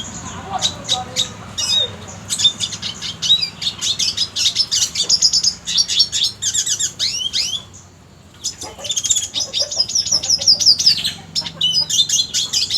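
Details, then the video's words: Red siskin song used as master recording for contest birds, called a luxurious song: sustained rapid high twittering and trilled phrases with buzzy notes, a short silence near eight seconds, then another long busy burst. "MASTERAN red siskin cocok untuk isian burung lomba"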